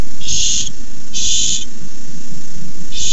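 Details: Nest-camera barn owl begging when a rat arrives at the nest: three broad, rasping hiss-screeches, each under half a second, close together against steady low background rumble.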